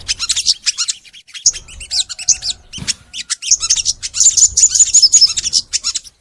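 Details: Lively crimson sunbird singing at length, recorded to prompt other sunbirds: clusters of high, fast chips and twitters, with a sharp click near the middle, building to a rapid ringing trill.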